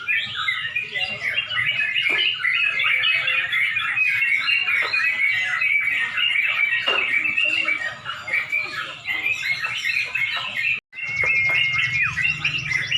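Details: Contest of caged Yellow-vented Bulbuls in Pemalang near dusk, a dense, busy chorus of chattering and warbling song running throughout, briefly cut near the end, then resuming with a steady whistled note and crowd hum.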